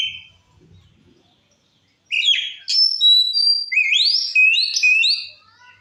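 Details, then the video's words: Oriental magpie-robin in full 'gacor ngeplong' song, used as a lure to provoke other magpie-robins: after a brief opening whistle and a pause, loud clear whistled phrases with rising slurs and sharp high notes tumble together over about four seconds. "Suara Kacer Gacor Ngeplong Ampuh Memancing Emosi Kacer Lain"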